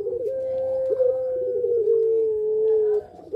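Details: Puter pelung, a Barbary dove variety, in breeding condition and calling actively, gives one long drawn-out mellow coo, held steady and sliding slightly lower near the end, recorded indoors.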